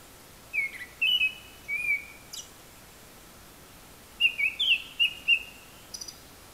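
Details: A Japanese thrush singing from high in a tree, apparently mimicking various other calls, gives two short phrases of clear, varied whistled notes a couple of seconds apart, with bright higher twitters at each phrase's end.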